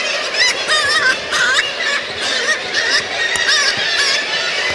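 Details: Black-legged Kittiwakes with young in a former radar tower on Middleton Island, Gulf of Alaska, May–August: nasal, wavering calls overlapping almost continuously in quick harsh bursts, other colony birds behind, birds freaking out.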